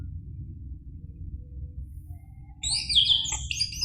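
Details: Caged orange-headed thrush song used to provoke another caged bird into singing: after a quiet start, a burst of high, varied whistled and warbled phrases begins near the end, over a low background hum.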